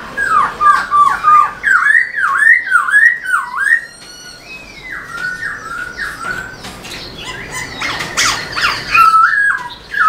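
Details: Black-throated laughingthrush singing with tail display, used to stimulate caged birds: a fast run of strong looping whistles, repeated about three per second, then softer descending slurs and a scratchy passage.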